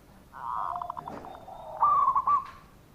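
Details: Local zebra dove (perkutut) lure call meant to prompt reluctant doves to answer: a short burst of rapid pulsed notes followed by a wavering, trilled coo phrase, fairly faint against a quiet background.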